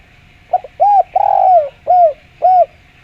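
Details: Lure recording of a clear-voiced spotted dove: a short double note, an arched coo, a long falling coo and two further arched coos spaced about half a second apart, over low hum.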